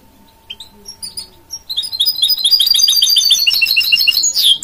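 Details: Goldfinch-canary hybrid mule, a cross of a goldfinch with a canary, sings a fast tumbling song of bright high chirps that builds into a dense rapid trill and ends on a sharp upward note; a steady faint hum sits underneath.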